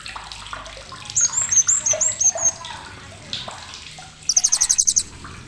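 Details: Blue-crowned hanging parrot, sharp chattering for songbird training: a series of thin high slurred whistles between one and two and a half seconds, then near the end a tight burst of about nine rapid piercing ticks, over faint hiss.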